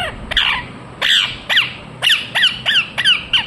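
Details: [['Indian ringneck parakeet giving harsh, screechy squawks, each dropping sharply in pitch, in a loose run of about eight calls over three and a half seconds against a quiet background.']]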